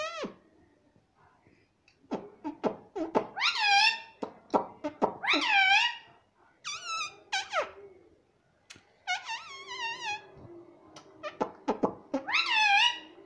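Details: Talking pet ringneck parrot kept indoors, said to call "mummy"; repeated bursts of nasal, harmonic calls rising then dropping, grouped in clusters with short clicks and pauses across the stretch.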